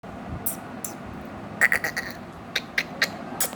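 An Indian ringneck parrot gives short, harsh, clipped squawks, one quick run of four or five, then single notes spaced about half a second apart, over faint room hum.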